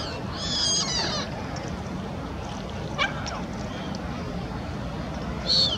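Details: A lesser black-backed gull, one of a pair defending its territory at a lido restaurant, gives a brief, harsh, wavering cry near the start, its territorial 'Mine!' call with an upward head jerk, and a short yelp at the end, over wind and water.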